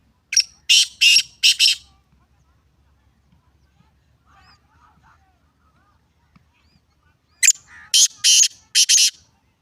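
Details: Two bursts of black francolin call, each a rapid series of four rasping, buzzy notes, separated by several seconds of near quiet with faint distant chirps.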